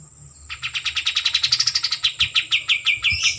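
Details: A white-eared bulbul sings a single fast trill of some fifteen crisp, high notes that swell and then fade slightly, ending in a brief buzzy flourish, over a near-silent background.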